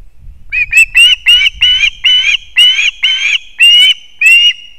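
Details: Osprey at its nest in Kurzeme, Latvia, with chicks and a fish delivery by the male: a quickening series of about ten loud, rasping chirps rising slightly in pitch, with faint low rumble at the start.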